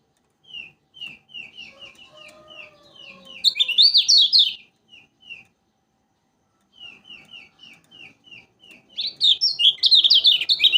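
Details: Lemon-bellied white-eye from Lombok, described as singing persistently, gives a run of short clear down-slurred notes at an even pace. These break into loud, fast, jumbled twittering bursts, with quiet pauses between phrases.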